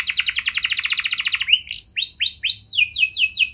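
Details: Canary song meant to draw other canaries into full song: a long rapid trill of repeated notes, then a few arched upward-swept whistles and a fast series of downward-slurred notes.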